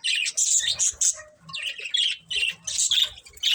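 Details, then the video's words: Breeding pair of budgerigars calling in sharp, high squawky chirps in quick bursts, with brief pauses between phrases. "Cute Budgies Chirping Sounds | Love Birds Breeding Pair"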